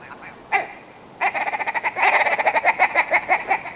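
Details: Willow ptarmigan: one sharp nasal note, a pause, then a long accelerating string of harsh clucking notes that grows louder and rhythmic.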